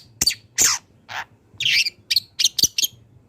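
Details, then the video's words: A wild long-tailed shrike sings a training song for other songbirds. Separate broadband chips and a rasping buzzy note are followed by a quick cluster of sharp, piercing notes, with pauses between. "CENDET GACOR BONGKAR ISIAN | MASATERAN CENDET BURUNG LIAR"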